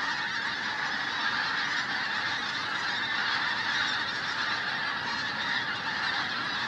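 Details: Pink-footed geese massed in a flock at Flitcham, 5 January 2017: an unbroken chorus of many overlapping nasal honks and yelps, even and loud from start to finish.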